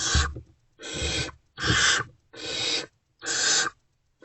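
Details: Wild barn owls in a nest box in the early morning hours of 28 February 2024 while prey is being delivered; loud, rasping screech-hisses about half a second long, five in quick succession with short silent gaps, plus low scuffling thumps.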